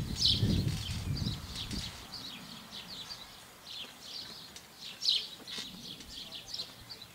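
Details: Three long-eared owl chicks at a nest near fledging, early June, in a back garden in Alsace, France, with an adult perched nearby, give high, squeaky, hissing calls, overlapping at an irregular quick pace, with low rumbling early on.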